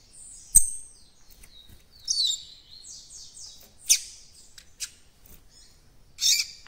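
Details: Half-formed encarte song of a young caged coleiro-baiano seedeater, with separate bursts of high buzzy chirps and short descending whistles and pauses between them, plus one low knock early on.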